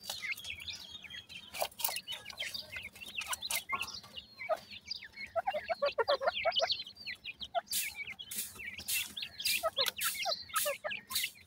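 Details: Numerous partridge chicks with a strange teetering movement keep up high, overlapping cheeps, with a dense burst of chirping in the middle and many sharp clicks and bumps throughout.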